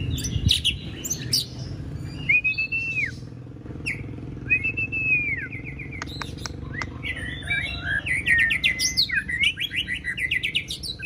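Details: White-rumped shama, a caged contest bird in training for a singing competition, giving a varied song of clear slurred whistles, falling notes and rapid chattering phrases, with a low engine hum beneath.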